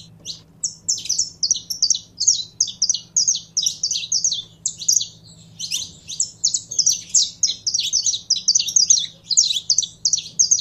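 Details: Caged Saffron finch being primed to sing: continuous pulsing series of high, sharp chirped notes delivered in fast rhythmic clusters for the whole stretch, with a low background hum.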